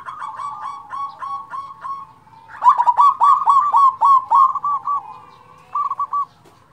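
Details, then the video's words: Big-voiced local zebra dove, its song used to rouse reluctant doves: a long run of fast, stuttering coos, first soft, then loud and evenly pulsed, ending in a short trilled phrase. "perkutut lokal suara besar cocok untuk pancingan perkutut malas bunyi"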